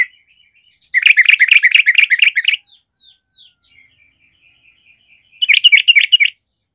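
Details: Sooty-headed bulbul singing, meant to rouse a reluctant bird to compete: a fast bubbling warble for over a second, faint soft chirps, then another bubbling burst.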